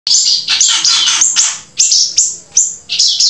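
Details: Grey-breasted prinia singing loudly and close: repeated high, thin, bright phrases, each dropping sharply at the start then sustained, in quick bursts about every half second.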